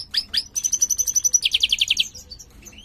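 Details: Mutant European goldfinch, a captive large 'jilguero mayor' bird wearing a closed ring, in song: high-pitched twittering opening into a fast even trill of repeated notes, then a lower rapid rattling series before fading chirps.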